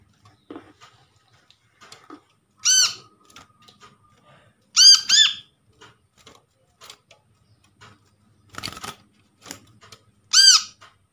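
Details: Brown-throated sunbird, recorded from a trapped bird and used as a lure to make a silent sunbird call: loud, nasal, harmonic-rich arched squeaks singly and in pairs, spaced by quiet gaps with faint ticks and room noise.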